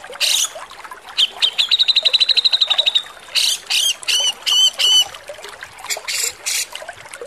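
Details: Javan grey-cheeked bulbul harsh song used as a tutor recording for cage songbirds: noisy rasping bursts, then a fast series of even, high whistled notes, followed by short strident phrases.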